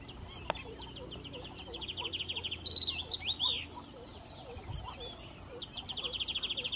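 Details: Chestnut munia (Lonchura atricapilla) calls: thin, high chirps and rapid trilled twitters from small finches, repeated in bursts, over a busy background of other birds' soft chirps.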